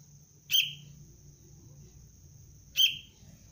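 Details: Young sooty-headed bulbul (kutilang) of the cengkram line, in basic training as a decoy for bird luring: two short, sharp chirps, about two seconds apart, with a falling tail. A steady high hum and faint low rumble sit behind them.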